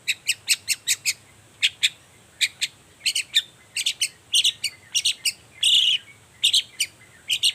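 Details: Lively morning song of a long-tailed shrike, used as a lure to make quiet shrikes sing back; rapid run of sharp ticking notes, then varied chattering phrases and one brief scratchy burst.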